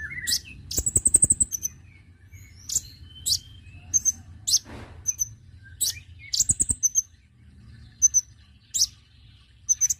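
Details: Lure sound of the konin bird: a fast high trill at the start and another midway, mixed with many sharp, very high chirps and short whistles spaced a second or so apart.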